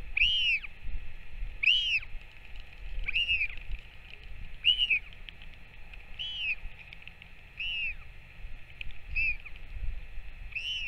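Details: Series of about eight short, arched, high whistled notes repeated roughly every 1.3 seconds while a returning Northern royal albatross parent feeds its chick, 21 May 2024; faint low rumble behind.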